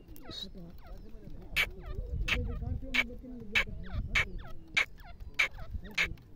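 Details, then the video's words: Partridge (teetar) calling in a steady series of sharp, grating notes about every 0.6 seconds, while other small birds twitter and chirp around it and a low hum runs underneath. "teetar ki awaz"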